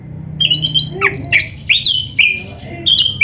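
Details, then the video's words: Oriental magpie-robin (kacer) singing a packed 'isian' phrase: sharp upward-swept whistles and level piping notes mixed with brief harsher chips, over a steady low hum. "Kacer gacor full isian RAPET"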